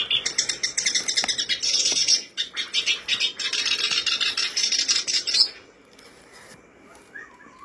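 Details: Black-browed reed warbler song played to spur birds into singing. A fast, harsh, churring chatter of high notes pours out for over five seconds, then stops, leaving quiet with a faint note or two.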